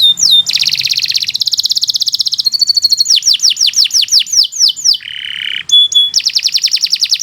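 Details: Canary tutor song, long and continuous: quick rolling trills, a rippling series of high whistles gliding downward, a low buzzy note, then a bright fast trill.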